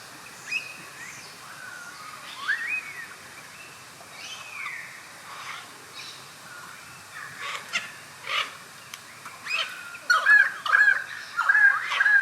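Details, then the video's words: Pied currawong (Strepera graculina) at Carnarvon Gorge, Queensland, Australia, 21 July 2019 at 11:50, gives rich, ringing, gurgling calls with rising and falling slurs, growing louder and more rapid toward the end, over faint outdoor hiss. "Pied Currawong Call"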